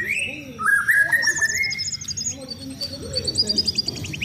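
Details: White-rumped shama in a cage during routine sunbathing before contests: clear rising and level whistles, then quick high tinkling trills and repeated sharp notes, with soft low background murmur.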